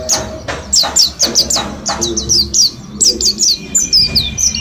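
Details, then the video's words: Ten days into learning forest-style song, a bulk-caught mountain white-eye from Mount Slamet repeats crisp high downslurred chirps roughly every quarter second, a lively twittering series over soft low hum. "Pleci gunung slamet ombyokan 10 hari belajar ngalas"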